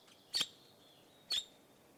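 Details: Red-rumped parrot uttering two brief, high, clipped chirps about a second apart, each a sharp whistled tick, with faint background hiss between them.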